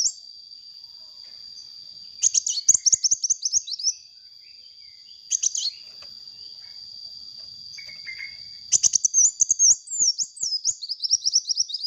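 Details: Sunbird, calling vigorously as a lure: three bouts of fast, high twittering chirps separated by pauses, the last a longer rambling trill, over a constant thin high tone with scattered clicks.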